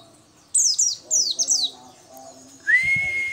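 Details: Oriental white-eye of a local variety, singing actively: a burst of high, thin, sharply descending notes in quick succession, then a short gap and a single steady rising whistle, with faint low murmuring beneath.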